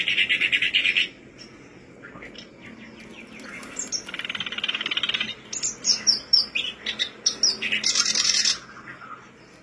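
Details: Black-browed reed warbler singing as a lure to make birds sing: a one-second raspy burst, a pause, then bouts of grating chatter mixed with thin, sharp, high squeaks and whistled notes.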